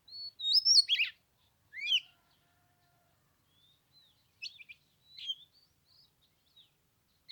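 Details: Oriental magpie-robin singing on the third day of Lunar New Year in 15-degree cold, having sung for an hour: loud whistled, swooping high phrases, then a pause and softer scattered chirps and short notes.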